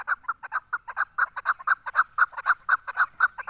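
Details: Female Chukar partridge repeating loud, evenly spaced clucking notes, roughly two per second, in a steady rhythmic series.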